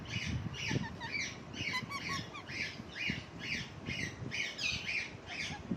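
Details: Rhythmic harsh squawking from a parrot on a lemon plant, roughly two rasping calls each second for the whole stretch, mixed with brief higher whistled chirps and some low rustling.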